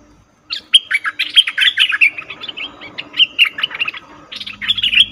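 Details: Cream-vented bulbul calling as a trapping lure: a continuous, busy stream of bright chirps and slurred whistled notes for about five seconds, with a low hum creeping in at the end.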